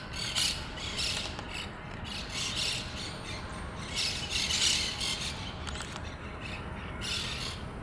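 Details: Monk parakeets from a colony at a communal nest at Pasir Ris Park give harsh, raspy squawks in clustered bursts about every one to two seconds, several birds overlapping, over steady low background noise.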